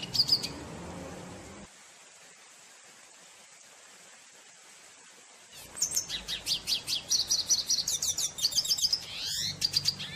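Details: A Venezuelan red siskin singing in nature: a fast, high twittering song of rapid chirps and buzzy trills, in two bursts separated by a few seconds of quiet, over a faint low rumble.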